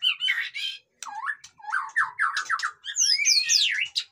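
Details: White-rumped shama singing loudly, used to provoke reluctant captive birds into song: harsh chattering phrases, a string of quick slurred notes, and a final rush of steep, whistled downward sweeps.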